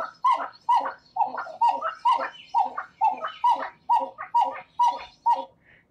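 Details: A pair of Pied-billed Grebes singing a song duet in a marsh, calling back and forth and together: loud, hollow, barking 'cow' notes, about two a second, overlapping in a steady, insistent series.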